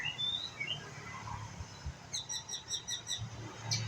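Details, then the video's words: Juvenile white-rumped shama practising its song: soft warbled notes at first, then a quick run of about ten high, evenly spaced ticking notes, with faint low knocks underneath. "murai batu pastol belajar bunyi"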